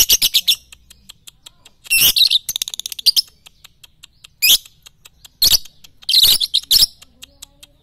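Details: Lovebird song for training at morning, noon and night: a quick series of sharp chirps, then a fast rattling run and several loud harsh screechy bursts, with faint rapid ticking throughout.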